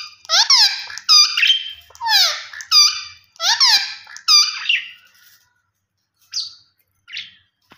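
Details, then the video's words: Green ringneck parakeet giving natural calls. Harsh, screechy squawks come in a quick series of five, each sliding down in pitch, then a pause and two shorter, softer calls. "Gareen Ringneck Parrot Natural Sounds Vice"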